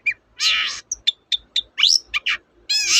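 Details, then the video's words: Long-tailed shrike song, called cendet, played as a lure for birds that will not sing: a harsh drawn-out rasp, scattered thin high chips, a rising whistled sweep and another grating burst. "BURUNG CENDET GACOR, pancingan ampuh burung cendet"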